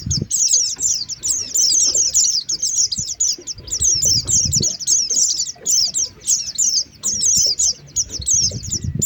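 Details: Lure call of Oriental white-eye for luring birds: rapid, shrill twittering chirps in long dense runs with short pauses, low handling thuds at start and end.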